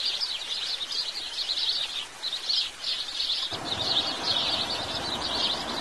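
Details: House sparrow chirping: dense, continuous chatter of high chirps overlapping without pause; a low rumbling background noise comes in about halfway through.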